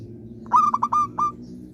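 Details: Zebra dove described as an eager, frequent singer: one phrase of four or five quick clipped coos, followed by a slightly separated final held coo.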